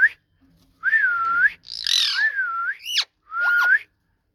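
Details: Ringneck parrot talking, with long level whistled phrases, a harsh raspy burst and a steep upward squeak, indoors and otherwise quiet.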